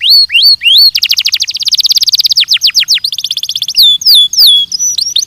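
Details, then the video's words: Song of a Belgian canary, used for training: upward-slurred whistles, then a long rolling trill of rapid notes, more quick chirp series, and high warbling slurred phrases. "ESPETACULAR canário belga,,! 30 MINUTOS DE TREINAMENTO DE BELGIUM CANARY VOCÊ VAI CANTAR MUITO"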